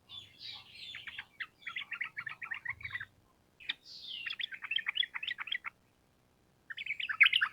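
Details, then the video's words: Lively sooty-headed bulbul giving long rapid-fire song meant to train caged birds to answer quickly. It opens with a slurred whistle, then a chattering run, a pause, a descending whistle, another chatter burst and a last short outburst. "Pancingan Trucukan Gacor Ampuh Untuk Masteran Burung Trucuk Supaya Cepat Nyaut Bunyi Ropel Panjang"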